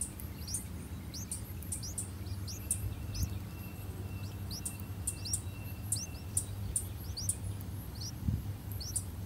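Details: Streak-eared bulbul chicks, three days old, in a nest in a water jasmine tree, beg for food while parents feed them: thin, high, upslurred chirps in quick irregular bursts over a steady low background rumble.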